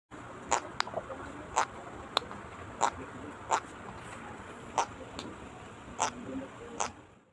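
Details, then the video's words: An Eclectus parrot makes a comfort sound: soft, dry clicks and pops, irregularly spaced about one per second, over a faint steady high hiss. "Eclectus Making confort sound"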